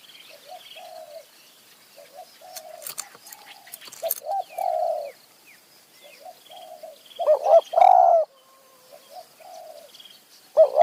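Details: Spotted dove in high mountain forest, a wild bird near a decoy during a dove-trapping trip, giving soft, low, hollow coos in short repeated phrases; a louder nearby dove joins near the end, faint sharp clicks and flutters between.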